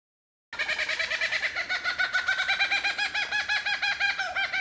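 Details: Superb lyrebird singing in Bartlett Olinda State Forest Reserve: a fast, steady run of identical rich, harmonic notes repeated about three times per second, starting abruptly after a brief silence, with no other clear sounds.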